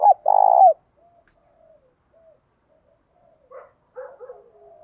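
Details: Spotted dove giving a 'thổ pha đồng' style song meant to provoke and train newly caught doves: a loud coo followed by a long tremulous purring note, then quiet soft murmurs and a few weak cooing notes.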